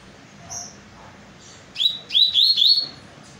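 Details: Double-collared seedeater giving a short phrase of four bright rising whistles in quick succession after a faint thin note, over low background hiss.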